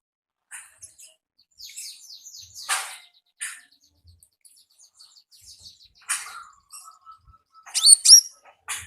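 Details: Quieter konin "gacor ngalas" song with scattered thin high chirps and slurred notes, a brief level whistle, and a louder burst of sharp calls near the end.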